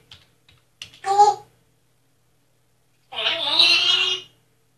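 A parrot mimics speech with the Spanish word "vergüenza": a clipped burst, then a longer, raspy, drawn-out phrase. A few faint clicks come before it.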